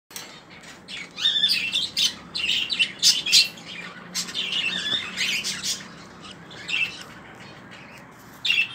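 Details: Baby lutino and other budgerigars in a budgie colony give bursts of harsh, high squawks and chirps, rising and falling in quick irregular runs.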